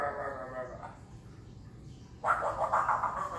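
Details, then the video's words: A pet African grey parrot gives a brief voiced sound, falls silent, then breaks into a run of choppy, human-like laughing bursts, described as laughing and making a strange sound. "African Grey Parrot laughing"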